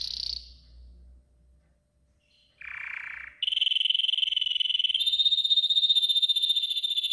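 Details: Training song of a yellow golden canary, meant for other birds to learn: one short high note, a quiet gap, a broad buzzy roll, then a long even trill that steps slightly higher and carries on.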